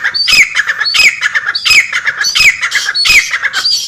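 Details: Female black francolin call used to excite males: loud harsh grating phrases with a rising then falling whistled note, repeated roughly every 0.7 seconds, continuous through the recording.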